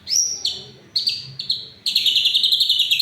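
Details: Shama song for provoking rival or silent shamas: a bright high whistle, a few spaced notes, then a rapid, steady chatter of repeated high notes.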